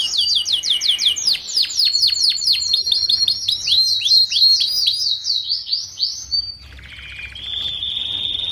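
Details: Young canary song meant to tutor young canaries housed together; rapid repeated high sweeps, about four per second, run in a long sequence before settling into a softer steady whistled tone.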